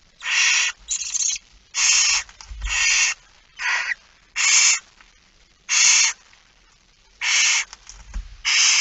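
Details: Feeding-time begging by a barn owl, 13 September 2019, 06:57. Nine rasping, snore-like hisses, each about half a second, repeat at uneven intervals. Occasional soft low bumps sound in the background.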